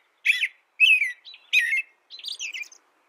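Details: American robin singing: four short caroling phrases, each a slurred whistle dipping and rising around the mid range with thin high overtones, spaced about half a second apart, the last phrase higher and more broken.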